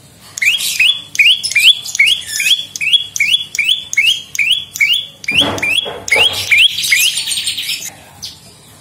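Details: Prenjak lumut prinia voice used as a lure and tutor song for songbirds: sharp rising chip notes repeated about twice a second, with a burst of harsh broadband calls near the end.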